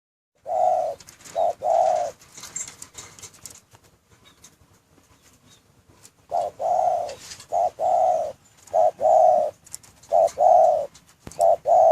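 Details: Spotted dove in a breeding cage giving low, hollow coos, short notes paired with longer drawn ones in repeated phrases, a quiet gap mid-way before cooing resumes; faint chirps of other small birds behind.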